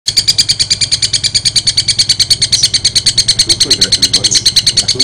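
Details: Long-tailed shrike in full voice, giving a strange sound: a rapid, very even series of sharp, high buzzy chips, about three per second, repeated without pause, with faint low background hum.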